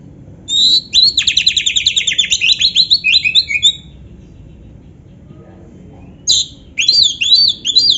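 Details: Kacer song loaded with canary-style isian: a quick, even trill of repeated buzzy notes lasting about three seconds, then silence and a renewed burst of varied whistled slurs from an Oriental magpie-robin.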